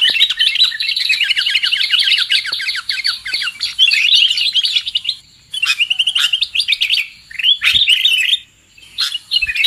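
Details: Lure call of the sooty-headed bulbul for catching birds: a long, fast rattle of rapid chirps, then separate bubbly phrases broken by two short silences.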